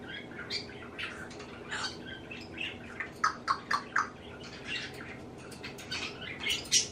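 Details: Male African grey parrot kept as a pet, running through mimicked sneezes, laughs and vocabulary; a quieter rapid string of short chirps and clicks, brighter sharp notes near the middle.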